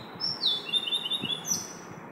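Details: Brief snatch of Oriental magpie-robin song at 5 am: a string of quick whistled slurs, some falling and some level, ending in a higher rising note, with soft low background noise.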